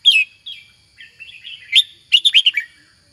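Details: Red-whiskered bulbul gives a sharp opening note, soft twittering, then a rapid series of four loud, clear, bouncing whistled notes, with a faint steady whine behind.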